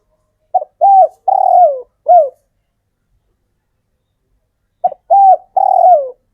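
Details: Local spotted dove male, wild-sourced and cared for, giving its call to attract females: a four-note cooing phrase with short first note and drawn-out falling third, silence, then the phrase begins again and is cut off.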